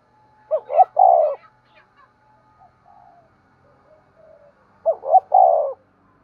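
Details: Decoy spotted dove cooing at dawn to attract wild doves; a mellow double note leads into a long burred coo, answered after quiet gaps with faint distant calls and a thin steady hum, then the phrase returns.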